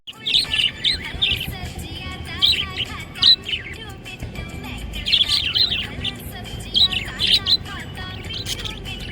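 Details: Happy pet budgie chirping: busy, warbling high chatter in bursts with short squeaky notes and trills, fairly continuous with brief pauses, over a low background rumble.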